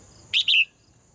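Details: Female cage bird singing in Thailand in the morning: one brisk two-part chirp, brief sharp note then a falling whistled tail, over a constant faint high hiss.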